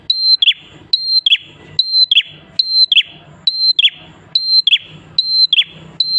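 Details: Persistent prenjak klawu prinia song, played to lure other prinias into song. Seven evenly spaced phrases, each a bright level whistle descending into sharp chirps, faint low hum in the background.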